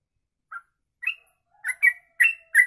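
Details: Sooty-headed bulbul in a long 'ropelan' song, used as a training master: a few spaced, clear whistled notes, some rising and some slurred, separated by short gaps of silence.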